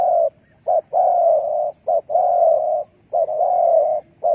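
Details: Spotted dove trapping decoy: long throaty coos each introduced by a short sharp note, repeated nearly without a break.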